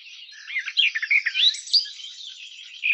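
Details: Garden warbler song, softly recorded: smeared, liquid warbling with a few brighter notes, continuous over three seconds.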